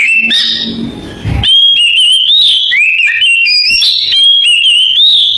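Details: After a brief rustling noise, an Oriental magpie-robin sings in canary-imitating style, with clear, piercing whistled notes strung into rapid wavering phrases that step up and down in pitch.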